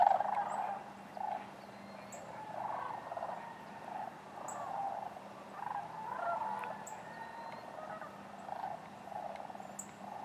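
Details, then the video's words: Sandhill cranes at Wheeler Wildlife Refuge in Decatur on January 12, 2013, among other waterfowl; a distant chorus of many overlapping rolling, trumpeting calls rises and falls in waves, with a steady low hum underneath. "Sandhill cranes"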